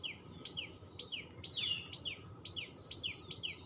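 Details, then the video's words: Short bursts of tailorbird chirping: bright, high, descending chirp notes spaced roughly half a second apart, with soft low background noise. "টুনটু‌নি পা‌খির ডাক l Tuntuni birds chirping sound l Tailor bird chatter l টু‌নি পা‌খির ডাক"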